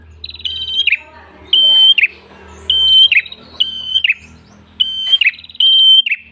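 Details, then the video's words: Red-headed prenjak tailorbird singing vigorously, a masteran recording for luring and training birds: a steady high whistled note ending in a buzzy downward slur, repeated about every second, over a faint low hum. "PRENJAK KEPALA MERAH GACOR SUARA NGALUN ENAK COCOK UNTUK PIKAT/PANCINGAN BURUNG ANDA"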